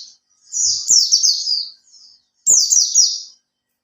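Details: Lure song of a caged Oriental white-eye kept three months: two bright, high-pitched phrases of fast downward-sweeping notes, each about a second long, separated by a short pause, light clicking beneath.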